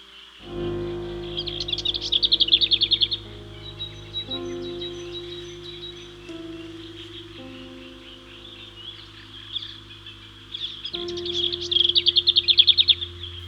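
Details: A lesser whitethroat, one of two or three on Staines Moor in early spring amid dense foliage, sings two bursts of a fast, dry, high rattle on one pitch, each about two seconds, over steady background music.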